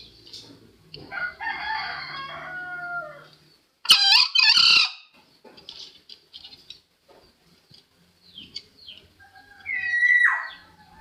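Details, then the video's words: Green junglefowl crow played as a lure for trapping: a harsh, hoarse two-part burst near the middle, preceded by rough, layered calling, with a brief falling whistle from another bird near the end. "Suara ayam hutan hijau ampuh buat pikat!!"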